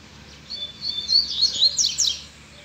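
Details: A free double-collared seedeater sings after being stirred by a female: one rapid, high, jumbled phrase of chirps and slurred whistles lasting about a second and a half, over faint background hiss.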